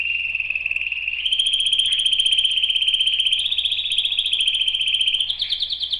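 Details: Canary song: long sustained rapid trill of high notes, steady in pitch, stepping slightly higher twice, then a brief higher rolled phrase at the end.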